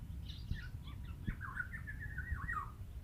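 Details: Black-naped oriole (Oriolus chinensis) chick calling to attract its parent birds: a few short, scattered chirps, then a slurred, wavering call that rises and falls for about a second and a half, over a low background rumble.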